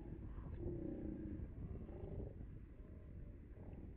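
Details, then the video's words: Common murre (Uria aalge) swimming, diving and wing-flapping off the North Sea coast at the Brouwersdam, Netherlands, gives deep, growling, drawn-out calls that rise and fall, over a steady low rumble of wind or surf. "Common Guillemot (Murre) / Zeekoet (Uria aalge)"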